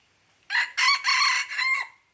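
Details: Red junglefowl from Aceh, 5 January 2020, delivers a short rasping crow of four choppy bursts, the last drawn out and fading. Soft background chirping underneath.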